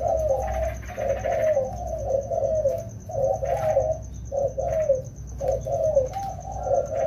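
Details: Rainy-season training of two wild-caught spotted doves; rapid series of short low coos grouped in twos and threes, steady rhythm over seven seconds, faint high whine behind.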